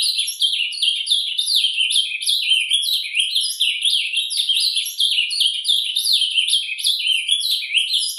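An ultramarine grosbeak gives its soft, murmured song: a continuous, high twittering warble of quick rising and falling chirps, with no pauses and no other sounds.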